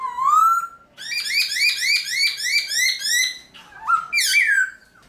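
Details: Black-throated laughingthrush singing at dawn in captivity to rouse wild-caught birds: one rising whistle, then a rapid, even series of bright chopped notes, ending with a low whistle and a sharp, high squeal.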